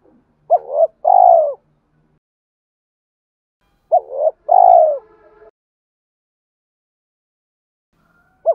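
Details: Spotted dove male giving provocative fighting coos that also call a mate: two full low phrases roughly three and a half seconds apart, wavering notes then a long hoot, and a third starting at the end.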